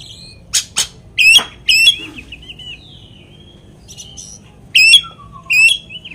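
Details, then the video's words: Oriental magpie-robin song played to stir another magpie-robin to anger: sharp clicks and rising notes with short twisting whistled phrases, separated by pauses. "kacer materian bikin Kacer lain emosi pancingan burung kaker"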